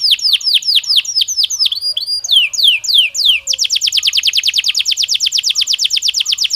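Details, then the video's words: Belgian canary singing naturally: fast series of high sweeping chirps and descending whistled slurs, shifting into a long, very rapid rolling trill of bright repeated notes, loud and continuous throughout. "Canario Belga Cantando Naturalmente"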